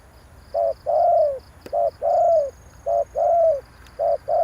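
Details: Spotted dove call played to rouse decoy birds: low, hoarse cooing phrases, each a short double note then a longer falling croon, three phrases over about four seconds, with fast pulsing insect chirps high in the background.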